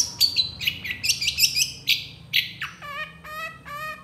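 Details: Long-tailed shrike in full gacor song with tembakan fill, made for masteran: quick, varied high chirps and slurred whistles, then a run of buzzy, nasal notes repeated at a steady pace.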